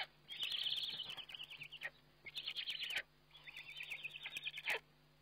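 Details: Webcam recording of a Eurasian eagle-owl feeding, 29 May 2011: three stretches of rapid high chattering notes, each ending with a sharp downward note, over a background hum.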